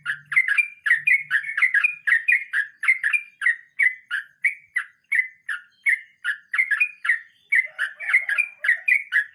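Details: Sooty-headed bulbul in the 'nge roll mbonang' rolling song style, pouring out a long, unbroken run of quick, bubbling whistled notes with slight rises and falls, loud and steady throughout.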